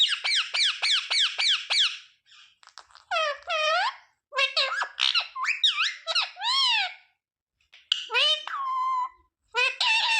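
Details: Ringneck parrot repeating words such as mummy, papa and mithu: opens with a rapid series of about seven high squeaks, then varied arched, nasal syllables and drawn-out squeaky phrases with short silences between.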